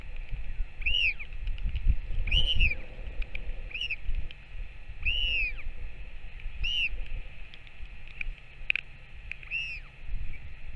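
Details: On 21 May 2024 a Northern royal albatross returns and feeds its chick; repeated arched, moaning calls come every one to two seconds amid buffeting wind and a constant high hiss.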